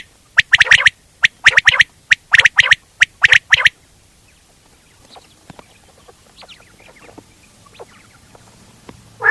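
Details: Common quail giving repeated sharp, clipped phrases of one note and a fast pair during the first four seconds, then near silence with faint background rustling.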